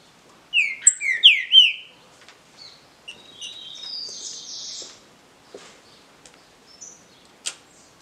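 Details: Song dispute of a Green-winged saltator, a legally kept native bird: a quick phrase of bright descending whistled slurs, followed by thinner, higher buzzy notes and scattered chirps in the background.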